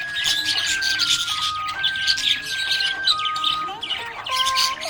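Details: A happy budgie chirps and chatters in scratchy high bursts while prominent background music plays steady held notes that shift in pitch.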